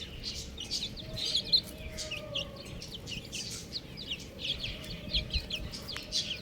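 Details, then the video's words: Several young buff chicks chirp together, thin high peeps tumbling over one another without a set rhythm, with a faint low hum and hiss underneath. "Adorable Chick Sounds | Amazing Chicks Chirping Sounds"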